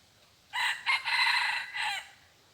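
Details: Red junglefowl used as a decoy, a bird said to crow only twice, giving a loud hoarse crow of four joined parts, a short opening note, then a rising note, a long held note and a falling end, over quiet background.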